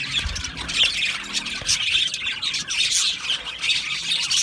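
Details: Budgerigar colony in an aviary, mating sounds: many birds chattering at once, scratchy squawks and quick chirps forming an unbroken, high warbling wall of sound.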